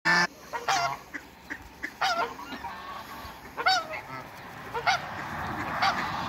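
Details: A mature pair of African geese kept in a backyard with other waterbirds: loud harmonic honks, some rising, repeated irregularly about once a second with softer calls in between.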